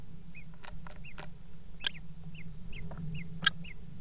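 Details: Common kestrels at a water-tower nest box on 5 February 2018, mating on the rim: high hooked chittering notes come in quick succession alongside scratchy clicks and knocks over a low electrical hum.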